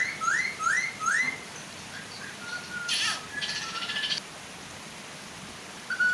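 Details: Female and male Chinese hwamei singing to draw young birds into joining, beside a gentle waterfall: three quick rising whistled slurs, a long flat note, then a harsh buzzy rattling burst, over constant water rush.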